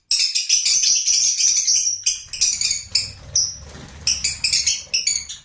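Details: Rapid, high, squeaky chirps from lovebirds in clipped repeated bursts, over a soft low rumbling background noise.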